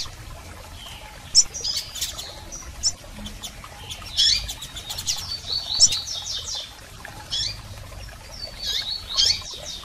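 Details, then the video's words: Double-collared seedeater calls of both sexes, aimed at stimulating a male: scattered high chirps and brief rattling trills, irregularly spaced, over faint hiss. "PIADOS de Coleiros Fêmeas e Machos Para Foguear Seu Coleiro!!!"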